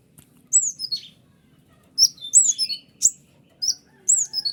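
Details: White-winged triller recording for tutoring kolibri ninja: groups of high, sharp downslurred chirps with brief clicks, separated by short silences.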